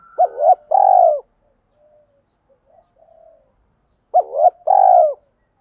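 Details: Spotted dove lure call used by bird keepers to provoke males, mixing female and male voices: two-part cooing phrases near 4 and 5 seconds apart, a sharp rising note then a long buzzy coo, with faint soft coos between.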